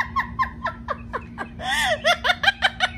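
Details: Pet Amazon parrot at home, eager to see its owner, giving a string of short, evenly spaced laugh-like hoots that rise into a louder, rapid burst of chuckling notes; indoor room with a faint steady hum.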